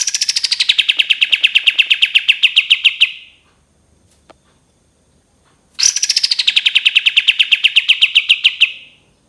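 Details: Two long 'tembakan panjang' trills of a cream-vented bulbul, each a three-second stream of fast, sharp pulses falling from high to steady, separated by silence and a single click.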